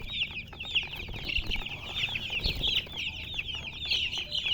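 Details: Chickens chirping: a dense, continuous stream of short, high, rapidly repeated chirps, many overlapping. A few soft low thumps sound underneath.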